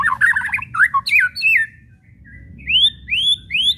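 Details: Kretekan of a white-rumped shama, a lure for making other shamas sing: opening rush of rough, rattling chatter and looping notes, a brief lull, then three loud rising whistled upsweeps spaced about half a second apart.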